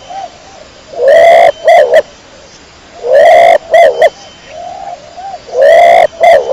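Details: Domestic pigeon of the kecor type cooing loudly and clearly: a long, slightly rising coo followed by two short hoarse notes, phrase repeated three times about every two and a half seconds, with soft low coos between.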